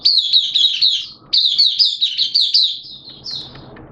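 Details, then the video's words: Hobbyist's Oriental white-eye giving its opening song (buka) on 11 September 2022 in wet, erratic weather: fast, high, jumbled chirping runs in two bursts, then a softer trailing note over faint noise. "Mata Puteh T-Rex Buka Sing"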